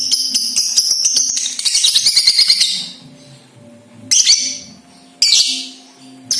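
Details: Balibu lovebird chattering to prompt other lovebirds to sing: a high, dense burst of rapid chirps for three seconds, then two short, sharp chattering bursts after quiet gaps.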